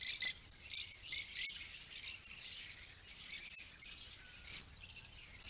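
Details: Swift parrot visiting a property near Shepparton, Australia, where Grey Box trees are flowering after heavy rain, giving a stream of very high, thin, metallic chattering notes in quick uneven bursts, almost unbroken, with no other sounds.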